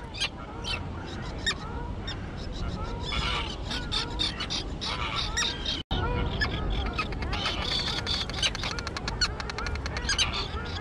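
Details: Young flying terns at an island colony thick with grass: a dense chorus of grating, rasping calls and short squeaky notes, growing busier toward the end, with a brief cut mid-way and wind noise throughout.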